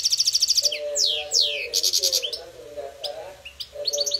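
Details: A goldfinch in a singing contest sings fast, high, tinkling trills broken by sweeping downslurred notes and buzzy bursts, with a lower humming tone running underneath.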